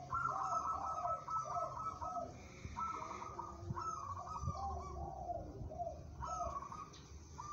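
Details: Local zebra dove with a steady, tough temperament, described as fit for song competition, giving repeated soft trilled coos in low and mid tones, phrases every second or so, over a background of low rumbling noise.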